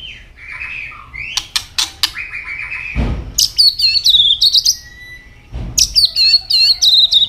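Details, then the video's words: White-rumped shama, a bird said to be changing plumage, singing a fighting song with tail-snapping. High, fast, twittering trills repeat rapidly after a few sharp clicks and two dull thumps. "chòe lửa chuyền hót đấu nết đập tạch đuôi chắc,kích chòe lửa hót đấu chớm lửa"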